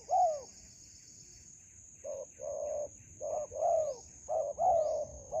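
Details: Spotted dove calling during decoy trapping in a melaleuca grove, meeting a promising wild bird: a single arched coo, a pause, then a run of short and longer mellow coos in pairs, over a steady high-pitched whine.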